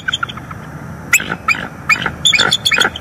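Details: Mated pair of wild bald eagles at a northeast Florida nest on the morning of 25 October 2021, picked up by a live nest camera while mating and calling: irregular high, sharp chittering notes in scattered bursts over steady background hiss.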